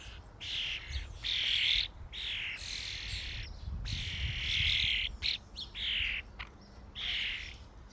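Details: Common starlings crowding a feeding station utter loud, hoarse screeching calls in blocks of half a second to a second, with brief gaps and a few short clicks between them.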